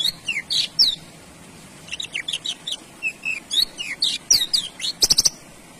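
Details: Male Javan bush lark singing a fast, varied string of clear slurred whistles, rising and falling, broken by short gaps, ending in a rapid buzzy rattle of clicking notes.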